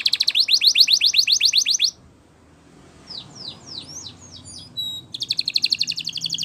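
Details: Spanish Timbrado canary training song: a rapid rattling trill, a brief pause, a few softer descending chips and thin whistles, then the fast trill returns.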